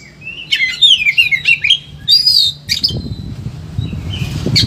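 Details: Highly agitated Oriental magpie-robin singing for training other birds: a run of sweet whistled downslurred notes, then a buzzy rising phrase and a few thin whistles, with low knocking noises toward the end.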